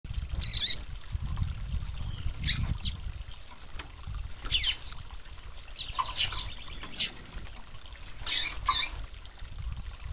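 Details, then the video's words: Female Yellow-bellied Seedeater call used by breeders to excite and warm up males: short, very high, sharp chirps in scattered bursts, some doubled, over a low rumbling background noise. "Piado de Fêmea de Papa capim Para Esquentar Papa capim"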